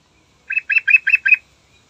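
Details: A yellow-vented bulbul gives a morning song, a quick bubbly phrase of five rich, gurgling notes in under a second against a quiet background, used as a lure call to stir other bulbuls.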